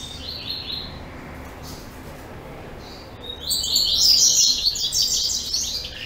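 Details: Captive double-collared seedeater from a breeding facility, dated 10/04/2014, sings a bright high-pitched phrase of rapid chirps and trills, a short opening burst followed after a pause by a louder, dense warbling run.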